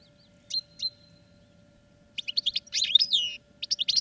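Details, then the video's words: Song of caged European goldfinches being trained: two thin high whistled notes, a long pause, then a fast run of tinkling, twittering chirps broken by short gaps. "Goldfinches Singing in CAGES for TRAINING"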